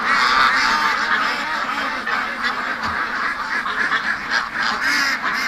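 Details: Domestic ducks crowding at the pen gate on a rainy day, calling because they want to be let out; busy chorus of overlapping nasal quacks from many birds, about three to four per second, without pause.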